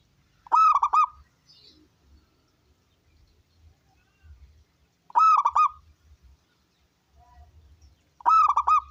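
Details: Local wild zebra dove, a loud-voiced singer, used to draw other doves into singing: deep, rolling trilled coos with a rising start, given in bursts about every three and a half seconds, with soft low rumbles between.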